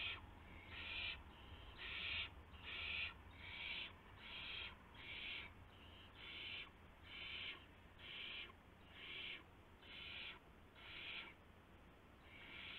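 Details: Nesting owl at night, 1:00 AM on March 24, 2016, after a gopher arrives as prey; a steady series of hoarse hissing screeches, more than one per second, some alternating louder and softer, with background hum.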